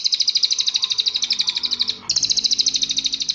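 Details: Crested jay, recorded as a master song for training birds: two rapid, even rattles of high clicking notes, roughly three per second-tenth, split by a short break, with low hum beneath.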